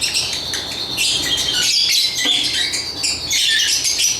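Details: Lovebirds chirping in a busy, continuous chatter of overlapping high squeaks and chirps, with a steady hiss of background noise beneath them.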